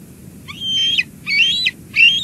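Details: Bald eagle adult bringing lunch to the eaglet at a Two Harbors nest, July 2022, live cam: three high, squealing whistled calls with sliding overtones, each about half a second long.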